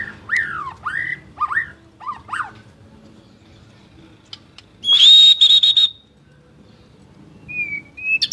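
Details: White-rumped shama song: several short swooping whistled phrases, then a loud sustained high whistle with buzzy stuttering pulses, a pause, and a faint rising whistle at the end.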